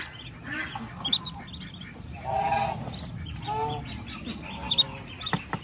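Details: Mother duck at a country farm calls with a few drawn-out, nasal quacks as her ducklings feed, their high peeps and some sharp tapping sounds scattered around.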